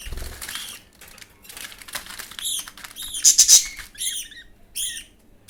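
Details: Budgerigar chick fed by a fellow chick. Rustling and shuffling open the recording, followed by a rapid run of scratchy begging notes and then several separate harsh, arched squawks.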